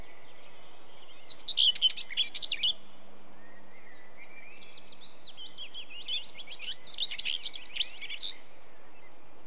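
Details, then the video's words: A Common Whitethroat sings two brief, scratchy, hurried warbles, the second longer and more jumbled, over a faint low background hum. "Whitethroat, Song"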